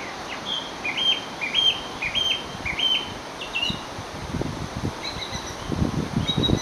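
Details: Song thrush singing at Chadkirk Country Estate on 12 June 2022 in the evening, repeating a short clear phrase five times, each a low note stepping up to a held whistle, thought to mimic a buzzard; low wind buffeting follows.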